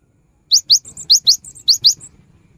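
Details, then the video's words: Short burst of cinereous tit song, used to stimulate non-singing birds: three pairs of piercing, rising notes separated by quieter twitters, with a faint low rumble in the background. "Suara GELATIK BATU GACOR"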